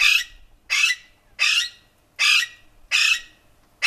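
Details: Rose-ringed parakeet giving harsh, grating squawks, each about a third of a second long, repeated roughly every 0.7 seconds with silence between.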